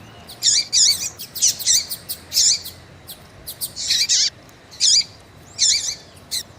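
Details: Female double-collared seedeater peeping and calling to warm up a male: a steady run of loud, high chirps, each dropping to a short curled lower note, repeated at uneven intervals.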